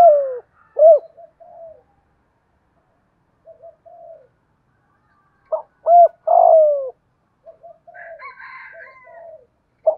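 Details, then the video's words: Spotted dove with a "thổ"-style voice, kept as a decoy to provoke wild doves into calling. It gives scattered deep coo phrases with gaps between them. A fainter, higher warbling sound follows near the end. "cu gay giong tho cuc dinh, chuẩn gáy gọi kích bổi nhanh gáy nổi nhanh"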